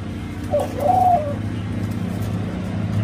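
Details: Nest coo from a Senegal dove crossed with a ringneck dove, likely F2, in Thailand: a brief soft note then a drawn-out, slightly wavering coo, over a constant low mechanical drone.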